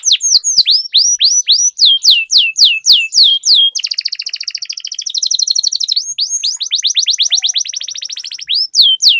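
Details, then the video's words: Canary lure song meant to trigger long rolling song in other canaries: repeated sharp downward-sweeping whistles, a long fast trill, another roll of descending notes, then more sweeps. "Suara Pancingan Burung Kenari Agar Cepat Gacor dan Ngerol, Masteran Suara Kenari Ngeroll Panjang"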